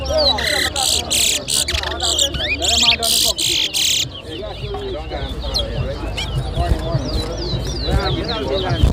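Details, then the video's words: Chestnut-bellied seed finch (towa towa) singing in a bird whistling competition at Lusignan, Guyana: loud music covers the first half, then quick warbled whistled phrases over crowd noise and chatter. "TOWA TOWA BIRD WHISTLING COMPETITION"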